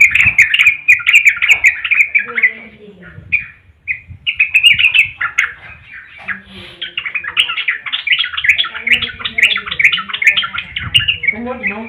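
Yellow-vented bulbul singing a long, continuous run of bright, bubbly chattering notes, rapid and unbroken with brief pauses; faint voices murmur in the background.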